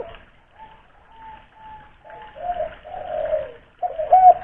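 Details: Spotted dove lure bird from Kuningan, West Java, used to set other doves calling: faint short level notes at first, then a run of low throaty coos that swell louder, ending in the strongest coo.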